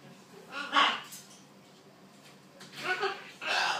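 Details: A macaw parrot talking: three short, loud, speech-like bursts with rich harmonics, one early, two near the end, separated by a quiet indoor background.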